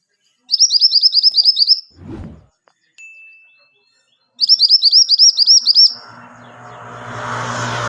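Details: Pied triller song meant for tutoring caged birds: two bursts of quick, evenly repeated high chirped notes separated by quiet gaps with a soft thump and a thin tone, ending in broadband rustling noise.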